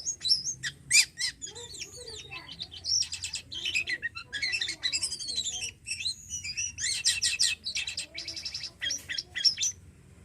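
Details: Javan pied starling in full, energetic song: rapid chattering trills, sharp clicks and squeaky whistles mixed with long descending slurred phrases, delivered almost continuously with brief pauses.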